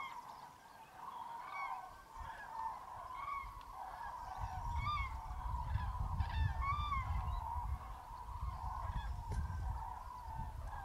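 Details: Common cranes wake at dawn in mid-January fog at a roost of hundreds in Tablas de Daimiel, Spain, alongside some greylag geese and teal. A ceaseless roosting chorus carries repeated ringing, upslurred trumpet calls, with low wind rumble beneath.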